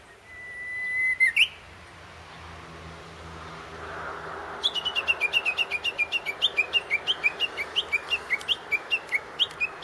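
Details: Japanese bush warbler singing from a tree near a grave during grave cleaning, filmed handheld on a Sanyo Xacti CG10 digital camera: a long steady whistle ending in a quick upward flourish, then after a pause a rapid run of about eighteen sharp repeated notes.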